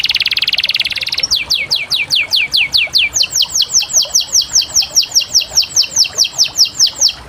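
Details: Canary singing: a brief buzzy trill, then a fast tour of bright descending whistled notes repeated about two to three times a second, very regular and high-pitched.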